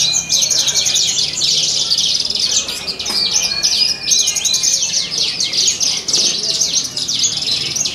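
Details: Horsfield's bush lark at a songbird contest in the Purbalingga animal market sings a rapid, unbroken stream of high, twittering and buzzy phrases with varied mimicked notes, faint background noise only.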